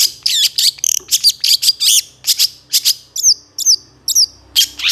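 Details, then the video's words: Long-tailed shrike master song for teaching songbirds: lively varied high notes mixed with clear whistled slurs, delivered in quick bursts with short gaps throughout. "Masteran Suara Cendet"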